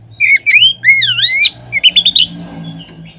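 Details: Oriental magpie-robin song on a recording used to lure others of its kind into singing: rolling whistles and a deep swooping phrase, then a fast string of five short bright notes.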